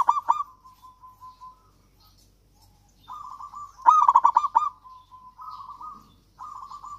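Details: Javanese local zebra dove in lively song, meant to prompt silent doves to sing. Loud bursts of fast, bubbling coos come about four seconds apart, linked by softer rolling trilled phrases at a steady pitch.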